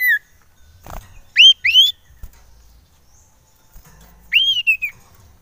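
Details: Common iora lure call used to stir up other ioras: a short falling whistle, then two quick rising upslurred whistles and, after a pause, a rising whistle that drops into a brief warble. Background is quiet.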